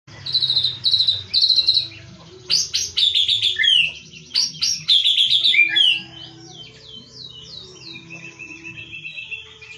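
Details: Wild white-rumped shama from the forests of Lampung singing loudly, mimicking a cililin: bright repeated high whistles, then rapid varied chirps and sweeping slurred notes, with faint insect hum beneath.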